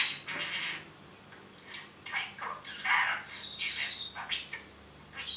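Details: Caged pet parrot talking: harsh, scratchy speech-like bursts in quick phrases, with a few brief thin whistles between them and short pauses, indoors with no other sounds.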